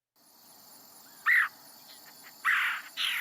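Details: Red-headed Woodpecker, mainly a summer resident in DuPage County, giving its relatively soft, long single-note calls: three harsh, slightly rolling notes, each about a quarter-second long, over a steady high insect hiss.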